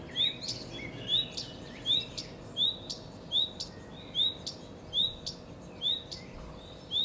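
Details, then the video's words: Common redstart singing: a short, high, upward-sliding whistle repeated about every 0.7 seconds, each followed by sharp clicking ticks, over a steady low hum and faint background noise. "Canto del codirosso (Phoenicurus phoenicurus)"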